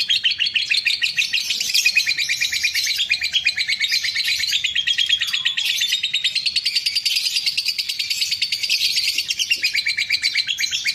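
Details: Lovebird delivering ngekek to provoke an opponent: an extended shrill chattering trill, the tightly packed notes wavering slightly in pitch and staying loud throughout.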